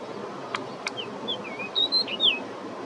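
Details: Pied Bushchat in Cambodia gives a brief, brisk phrase of thin whistled notes, some slurred up and down, after two sharp clicks.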